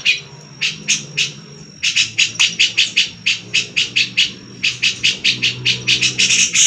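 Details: Grey-cheeked bulbul giving besetan, a harsh rasping call style, used as tutor material for white-rumped shama, magpie-robin and leafbird: rapid series of short scratchy bursts, about four per second, with brief pauses, over a faint low hum.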